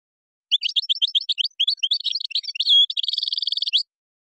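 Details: Moroccan-style European goldfinch song with gazarat and srrr bertbertio phrases: an unbroken stream of rapid, high twittering notes, a short clear whistle, then a fast buzzy rattle to the end. No other sounds are heard.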